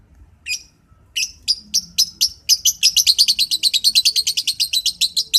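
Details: Lovebird singing in the morning: a few sharp high chirps, then a fast run of bright, clipped chirps repeated several times a second and speeding up slightly, about thirty notes in all, over a quiet background.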